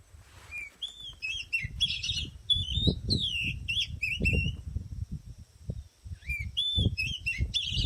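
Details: Oriental magpie-robin (kacer) singing at a flooded trapping site in an oil palm plantation in Borneo, Kalimantan: varied clear whistled phrases, rising and falling slurs, with low rustling and handling noise from the trappers.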